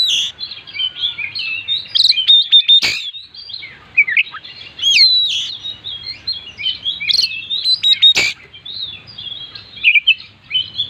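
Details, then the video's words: Oriental magpie-robin singing nonstop with imitated fill-ins, suited as a lure for other birds: continuous high twittering and slurred whistles, rapid varied phrases, punctuated by two sharp broadband cracks. "burung Kacer gacor full isian"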